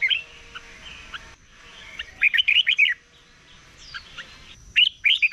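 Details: Red-whiskered bulbul singing in the morning during competition song training; scattered bright warbled phrases of quick up-and-down whistled notes, with a quieter stretch of faint chatter between bursts and a thin constant high tone behind.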